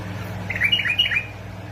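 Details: Bulbul of Basra and Fao, Iraq, used to stimulate other bulbuls into song: a short, sweet phrase of fluty, slurred notes going up and down, above a faint steady hum.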